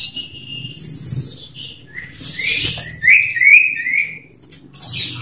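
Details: Male common iora in a loud one-on-one song duel used to lure other ioras, giving a sustained whistled note, then harsh buzzy chatter and rapid squeaky phrases, over low hum.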